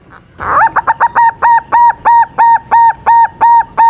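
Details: Zebra dove song from a young silver bird in full voice, used to lure rivals into replying: a rapid string of about thirteen identical round cooing notes at a steady pace of about three each second.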